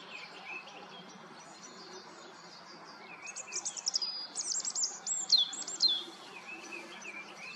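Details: A melodious warbler singing its song in the Eifel, pouring out a hurried, high, chattering warble of varied notes after a few quiet seconds, with faint background chirps.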